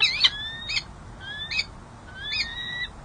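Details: A female peregrine falcon courts her mate on 13 January 2024 at San Jose City Hall, California, giving thin, whining, slightly rising whistles, each with a short harsh chip, about four in three seconds over faint background hiss.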